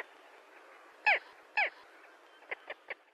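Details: Gull cries: two loud, drawn-out harmonic squawks about half a second apart, then three shorter, softer notes in quick succession against a low background hiss.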